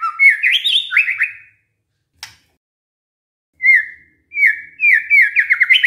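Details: Luring song of a white-rumped shama, intended to make other shamas respond: fast rising whistled notes and trills, a sharp click, then further quick repeated slurred phrases after a pause.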